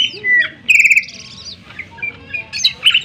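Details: Sharp greater green leafbird song used to provoke other birds: whistles and a short buzzy rattling phrase, then scattered chirps and a final bright trill.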